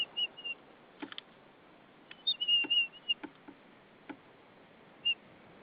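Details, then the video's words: White-tailed eagle pair at their Saunja nest in Estonia on an evening in March 2013. The female calls sweetly to her mate bringing hay. Thin, high whistled notes, some drawn out, come between scattered clicks and knocks. "Linda makes sweet noises to Sulev."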